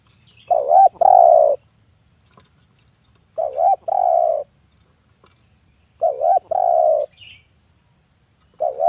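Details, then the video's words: Male spotted dove singing actively in the kuk 1 style, kept as a lure for trapping wild doves; low mellow cooing phrases of short stuttered notes and a long rolling coo, repeated about every two and a half seconds. "Suara Burung TEKUKUR KUK 1 jantan gacor ini biangnya pancingan dan mikat pasti nyaut bunyi"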